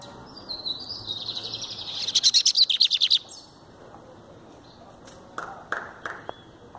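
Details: Lined seedeater in the hand: a buzzy high phrase builds into a quick series of about ten sharp trilled notes, followed by a few scattered clicks and handling sounds.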